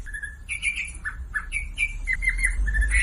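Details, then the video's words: Sumatran leafbird song meant to coax silent birds into singing: short separate whistled phrases, some flat and some dipping, broken by brief pauses, over a low background rumble. "SUARA MASTERAN WAMBI UNTUK YANG DIAM IKUT KICAU"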